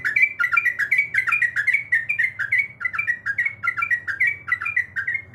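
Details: Female sooty-headed bulbul calling for the male, producing a loud, continuous chain of rapid, bubbling, down-slurred whistled notes over a soft low hum.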